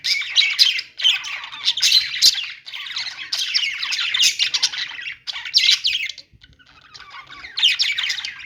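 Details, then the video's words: Budgies singing: loud bursts of twittering, squeaky warble and rasping calls, broken by short pauses, with a near-silent gap of about a second before the chatter resumes. "budgies singing | budgie sounds | parakeet chirping sounds"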